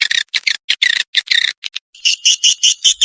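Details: Kalimantan swiftlet calling: rough, buzzy chirps in quick bursts, then a steady series of cleaner, high twittering notes repeated about six times a second.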